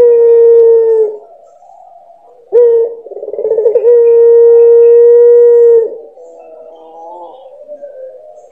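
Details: Puter pelung dove cooing, one of nine birds with differing voices and song characters: a steady mid-pitched hum with overtones held about a second, then a fluttering trill swelling into a long level note held nearly three seconds, fading into softer wavering tones.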